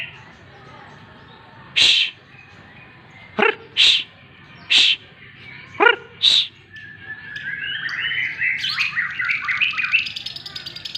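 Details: During morning sunning, several sharp hissing shushes and a few harsh chattering notes come first, then a white-rumped shama launches into a rapid, varied warbling song of bright whistles.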